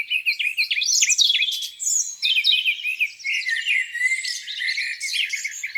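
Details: A chorus of birds on a spring morning beside a lake, dense overlapping twitters, rising and falling whistled phrases and quick chirps continuing throughout.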